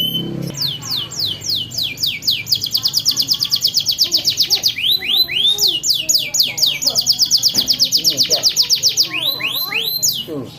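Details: Canary song for training juvenile canaries, a fast rolling stream of high descending whistle sweeps and sustained trills repeated about four times per second, with faint lower chirps of other birds underneath.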